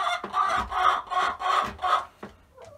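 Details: Chickens in a coop adjusting to new nesting boxes, some still laying eggs elsewhere; four loud, broad, squawky clucks in quick succession, then a softer short note near the end.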